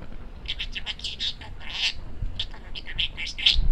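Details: A male parakeet in a home setting babbles speech-like sounds: a steady run of short, high, raspy syllables that rise and fall like fast mumbled words, ending in a sharper squeak.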